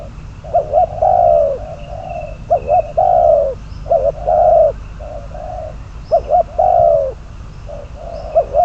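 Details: Decoy spotted dove for trapping, calling in a long run of phrases: quavering double notes, drawn-out falling coos and flatter short hoots, repeated every couple of seconds over low background rumble.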